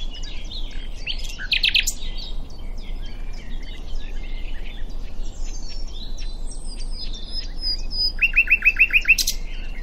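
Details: At Diddington, a common nightingale sings a loud burst of notes early on, then later a fast series of about seven sharp repeated notes, with soft chirping birds and a steady outdoor hiss throughout.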